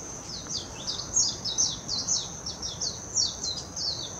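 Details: Warbling white-eye song from Hashimoto, Wakayama Prefecture, Japan, 26 June 2021, recorded on a Nikon Coolpix P900: an unbroken stream of very high, fast, jumbled chirps and slurred notes over a constant thin high-pitched hum.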